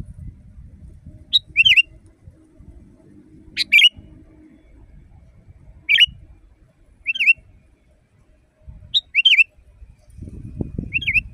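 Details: Sooty-headed bulbul phrases for caged-bird training: repeated bright, bouncy whistled two-note phrases every one to two seconds, with low background rumble throughout and a louder noise near the end.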